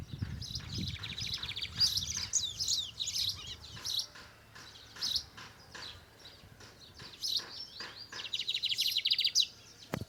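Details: A bigodinho, or lined seedeater, sings loudly in the torneado style: varied high whistled and chirping phrases and fast trills, a quieter middle stretch of scattered notes, then another long trill, with some low rumble at the start.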